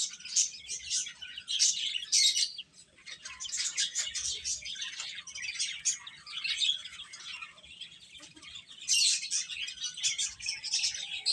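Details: Many chicken chicks cheeping: shrill, rapid peeps pile up into a near-continuous chorus that dips briefly in the middle before building again.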